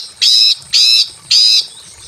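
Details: A female greater green leafbird in breeding condition calls to a male from a simple aviary. She gives three buzzy, sustained notes, each lasting about a third of a second, with short gaps between them.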